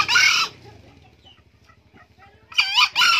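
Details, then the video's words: Old male green junglefowl crowing, a harsh, buzzy burst of about half a second, then after a long quiet gap a second crow split into two strained, rising-falling syllables. "ayam hutan hijau pak tua rajin kokok"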